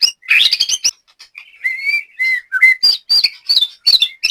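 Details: Captive white-rumped shama in Banyumas, Central Java, Indonesia, giving a busy mix of harsh chatter, sliding whistles and sharp clipped notes in irregular bursts.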